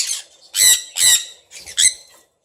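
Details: Pet sun conure indoors gives harsh, raspy squawks, four loud, high, grating bursts about half a second apart, with nothing else heard; the owner also keeps red factor birds.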